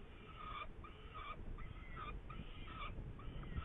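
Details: Saker falcon in Hungary, 8 May 2019, repeating a steady series of scratchy, level-pitched calls, one roughly every 0.7 seconds, over a constant background rumble.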